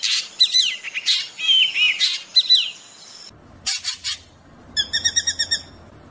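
A drongo rolls out varied, high, fast-warbled phrases with slurred whistles, then a buzzy burst and a quick run of six ringing, metallic notes.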